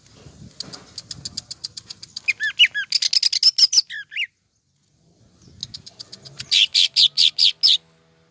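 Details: Greater green leafbird singing hard in full voice: a fast series of sharp clicking notes leading into rising and falling whistled slurs, a brief silence, then a second run of rapid loud high notes.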